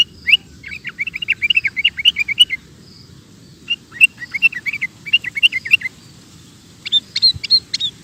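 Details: Sooty-headed bulbul singing vigorously, a recording meant for tutoring caged birds: bursts of rapid, bubbly chirping notes in clusters separated by brief pauses, with sharper high notes toward the end.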